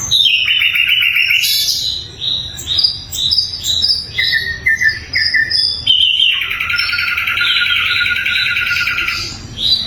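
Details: Sikatan londo flycatcher recorded as a tutor for other songbirds: loud, clear, fast song of high twittering notes, sliding whistles, and two long buzzy trills, delivered almost without pause.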